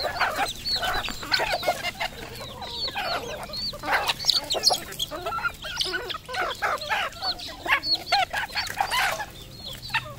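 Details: Red junglefowl at a Cambodian farm calling continuously: overlapping high peeps and sharp clucks from many birds, forming a busy, chattering chorus throughout.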